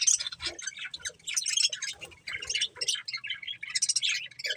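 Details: Several budgerigars chatter while eating corn: busy, high twittering and short chirps, nearly continuous and fairly soft.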